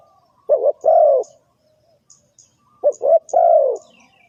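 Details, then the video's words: Spotted dove calling, as used for bird trapping: two low, hoarse cooing phrases, each a short stuttered double note followed by a longer drawn-out coo that falls at the end, about three seconds apart. "Suara Tekukur"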